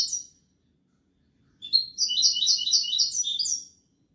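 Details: A European goldfinch delivers a Kobia Malaga song phrase. One brief high note, a second of silence, then a rich rolling trill of bright, repeated buzzy syllables lasting two seconds before stopping.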